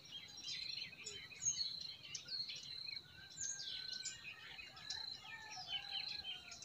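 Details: Spring forest birdsong: several birds trade thin whistles and quick chirps above a constant high-pitched hum, with a gentle stream murmuring in the background.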